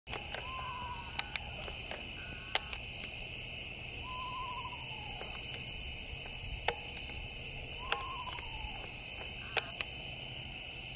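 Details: An Eastern screech owl calls from a tree branch at night, giving three quavering, descending whinnies, each about a second long and spaced roughly four seconds apart, over a steady chorus of night insects.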